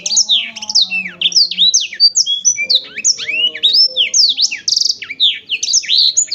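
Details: Black-throated canary in sustained, lively song: rapid chains of bright, steeply slurred whistles and chirps, with occasional trilled notes, running without break over six seconds; a soft low hum in the background.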